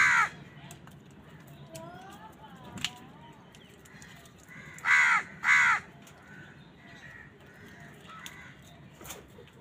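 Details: Crow fighting with wild birds for food, giving two loud, harsh, nasal caws in quick succession near the middle. A short cry comes earlier, and faint chirps from other birds and a low background hum are also heard.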